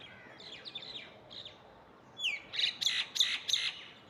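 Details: Myna calling in the morning: a run of loud, harsh, broadband chattering notes repeated about three times a second, following softer high chirps from other birds in the background.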